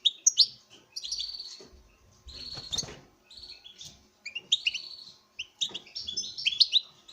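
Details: Courting male European goldfinch, kept for breeding, sings toward a female: continuous jingling twitter mixed with buzzy drawn-out notes in repeated bursts, with a few soft clicks and knocks in the background.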